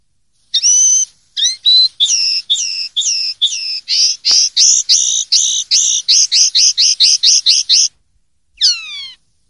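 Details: Common linnet in clean ('limpio') song style from Spanish silvestrismo: a long, varied run of high twittering phrases, with whistled slurs, buzzy doubled notes and a fast rattling series, then a brief pause and a final descending slurred note, with no other sounds.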